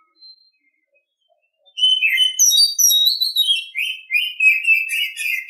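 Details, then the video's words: Morning song of an Oriental Magpie-Robin: after near silence, a continuous stream of varied whistles and quick twittering notes, high clear tones giving way to lower rapid scratchy chatter. "Nghe chim chích chòe than hót hay mỗi sáng"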